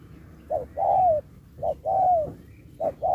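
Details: Spotted dove in a 2024 singing contest, singing in the Thúc style mixed with Bo. Three phrases, each a short clipped note followed by a long, smooth coo that slides downward at the end. Faint low background hum.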